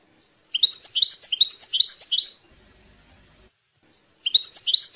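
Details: Goldfinch song for training young goldfinches: two bursts of quick, liquid twittering with bright tinkling notes. Each lasts nearly two seconds, and a short quiet gap lies between them.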